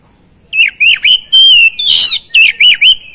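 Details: Energetic oriental magpie-robin song used to coax quiet birds to sing: rapid V-shaped swooping whistles, one long level whistle and a rasping buzzy note, delivered in a dense two-and-a-half-second phrase.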